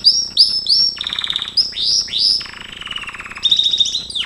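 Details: Gloster canary in training song: repeated sweeping whistles, then low rattling rolls, more slurred whistles and a long, soft, even roll, ending in a fast trill.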